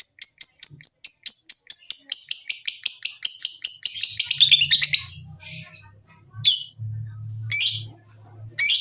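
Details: Lovebird ngekek chattering, used to make lovebirds sing: a fast even series of sharp high chirps for about four seconds, speeding into a rough burst, then a few scattered squeaks over low humming.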